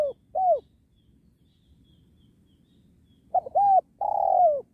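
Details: Spotted dove used in trapping wild doves next to a sacred tree, giving a short, falling coo note, then after a pause a phrase of quick clipped notes ending in a long, drawn-out descending coo.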